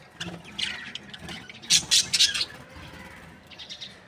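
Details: Happy breeding pair of Australian budgies chirping: soft chatter, then a loud cluster of rapid high chirps in the middle, fading to fainter twitters.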